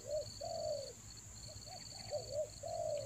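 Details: Spotted dove lure call used for trapping wild doves in the rainy season: soft low coos, a short double note then a long falling one, repeated, over a steady high insect-like whine and faint chirps.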